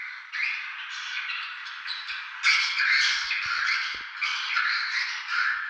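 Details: Swiftlets at Tambunan, recorded as proof of their presence, chatter in a dense, continuous wash of harsh, buzzy twitters, many birds overlapping with rapid squawks and no clear pause.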